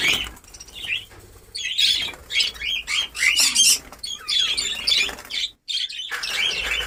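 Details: Budgerigar breeding colony, newly ready, in Darbhanga, Bihar: many caged birds chatter in high, scratchy chirps and squawks, swelling in loud bursts with one short silent gap near the end.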